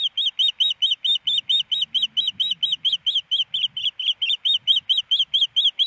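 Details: Osprey hen on a Montana nest camera, Hellgate Canyon, Missoula, April 28, 2019, demanding a fish her mate has not brought: a continuous run of sharp, piping whistles repeated roughly twice a second, clear over a quiet background.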